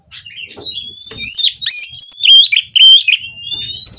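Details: White-rumped shama at a breeding facility, mating song to spur rivals into singing; bright, piercing whistles and quick chips, with long level whistled notes running through, occasional low knocks.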